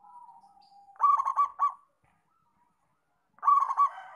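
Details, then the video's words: Local zebra dove calling actively, opening with a long level purr, then a fast run of four hollow cooing notes, a silent gap, and a second rapid coo series. "Perkutut Lokal Gacor"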